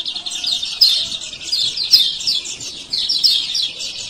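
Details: Lombok lemon-bellied white-eye male calling 'ciak ciak' as a lure for birds that have stopped singing; short clusters of piercing high chirps, strongest near one and two seconds.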